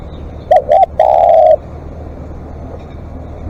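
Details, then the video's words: Spotted dove decoy in long calling: a single phrase of two quick coos and then a long, even, breathy coo, followed by quiet background noise with distant low rumbling. "เสียงนกเขาใหญ่ ต่อสดเรียกยาวๆ"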